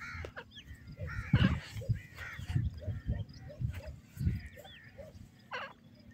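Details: Male and female white francolin, known as teetar, calling in alternation: harsh, rising, arched notes repeated in quick bursts, set against a constant low rumble of background noise.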